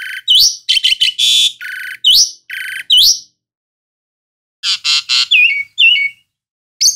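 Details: Loud Asian pied starling song of harsh rasping bursts and sharp rising whistles in rapid phrases, a silence of over a second, then a chattering burst ending in stepped downslurred whistles.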